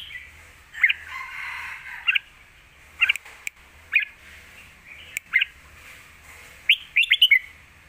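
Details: Caged red-whiskered bulbul performing Lak Wai style song, a full master song for tutoring young birds; clear whistled notes repeated roughly every second, ending in a rapid run of four bubbling notes.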